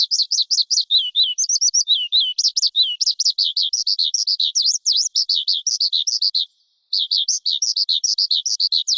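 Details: Lark pouring out rapid high chattering trills and warbles, one short pause near the end, then the dense twittering resumes.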